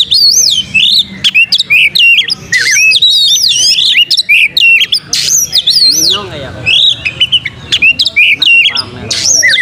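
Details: Long vigorous song of an Oriental magpie-robin spreading its tail, used for luring: rapid alternation of looping whistles, high sweeps, harsh buzzes and ticking notes, with a soft descending chatter in the middle.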